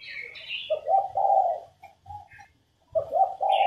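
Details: Female spotted dove calls to prompt males into cooing. Mellow, low hooting notes come in short runs broken by a brief pause, with scattered higher chirps of other birds.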